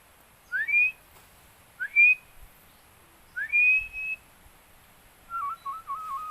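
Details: Philippine eagle chick during bonding: three separate, clear up-slurred whistles, each rising sharply then holding briefly, spaced over a few seconds, followed by a steady wavering electronic tone.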